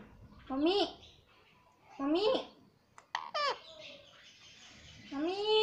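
A rose-ringed parakeet speaks in four short, nasal, wavering bursts that imitate words like "mummy" and "papa", spaced about a second or more apart in a quiet room.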